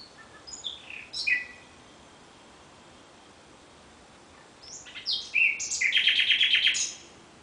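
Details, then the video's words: Common nightingale at night, singing two phrases split by a pause of about three seconds: first a quick series of high descending notes, then a loud, fast, pulsing rattle of repeated notes. "Κελάηδημα Αηδονιού στη νύχτα ( Nightingale )"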